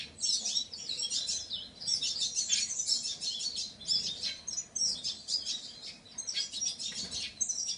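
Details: Painted bunting pouring out rapid, high sweet warbles and sharp chips in tight bursts, phrases running almost back to back.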